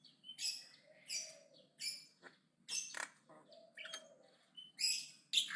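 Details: Javan myna chattering aggressively: separated harsh scratchy bursts and squeaky notes roughly every half second to second, with a faint low hum in the background.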